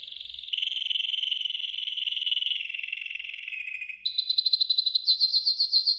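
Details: Golden yellow canary singing a training song. A long, steady, rich roll slides slightly downward, then jumps to a higher, fast, pulsing trill of clipped notes.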